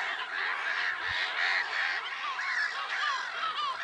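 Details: Black-headed gulls calling at Lake Sarymsak, Pavlodar region, Kazakhstan, 10 April 2011: a steady wall of grating, overlapping cries, with some clearer rising and falling squeals near the end.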